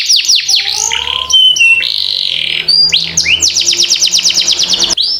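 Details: Canary master song meant to make young birds learn to sing fast: varied phrases of quick sweeps and held whistles leading into a long rapid roll, with a faint low hum behind.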